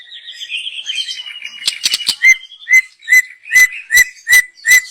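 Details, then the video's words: Young wild white-rumped shama from the forest, song used as a lure: soft rambling warble and clicks, followed by evenly spaced clear whistled notes about two per second. "Kicau burung MURAI BATU Muda Hutan. Cocom untuk pancingan"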